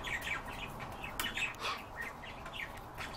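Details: Repeated short trilling chirps of European bee-eaters, about eight calls in quick succession at fairly even intervals, over a steady hiss of background noise.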